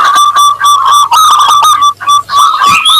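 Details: Local Zebra dove in energetic 'crystal voice' song, used as a lure for other doves: quick even pulses of bright cooing notes, several per second, ending with higher rising notes over a faint low hum.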